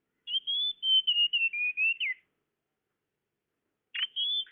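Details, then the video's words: Tledekan (blue flycatcher) call used to lure birds: a long run of pure whistled notes stepping down in pitch with a final downward slur, then a short buzz and a new whistled phrase after a silence. "Suara pikat burung tledekan"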